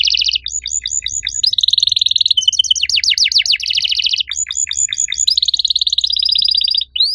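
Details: Riwik canary singing actively with long cuit cuit phrases: repeated sharp chips, buzzy rolls and rapid sweeping trills follow one another almost without pause over a faint low hum.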